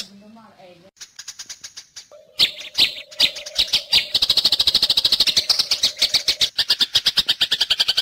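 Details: Eurasian tree sparrow, recorded as fighting chatter used to tutor cucak hijau and magpie robins; after a brief faint opening, dense rapid high chirps build into a fast, continuous buzzy chatter over a steady low hum.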